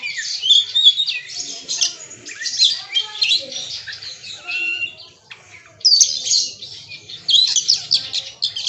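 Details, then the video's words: Bongkar isian song of a magpie-robin (kacer): fast chattering phrases of bright chirps and short whistles, a brief pause near the middle, then another burst of rapid notes. Other birds sound faintly in the background. "Suara Burung KACER bongkar ISIAN"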